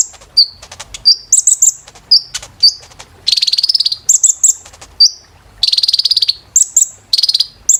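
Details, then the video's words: Kolibri ninja sunbird song used as therapy for caged birds: scattered high, sharp slurred notes and clicks, broken by several fast rattling trills and clusters of piercing, rapidly repeated tweets. "KOLIBRI NINJA TERAPI GACOR"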